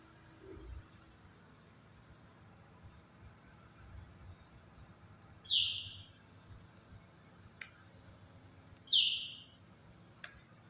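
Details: Blue-rumped parrot in Kalimantan, in a setting likened to an aviary: two sharp, high, briefly descending chirps about three and a half seconds apart over a quiet, low background hum.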